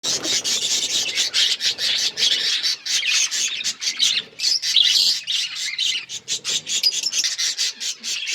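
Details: Budgerigars chirping, recorded February 18, 2024: dense, overlapping high chatter of rapid squawks and twittering notes from several birds, pulsing almost continuously with brief dips.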